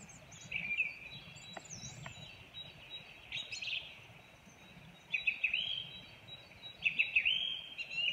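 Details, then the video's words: A song thrush sings bright, whistled phrases, some repeated, with short pauses between them over a steady hiss of background noise. "Singdrossel mit Gesang"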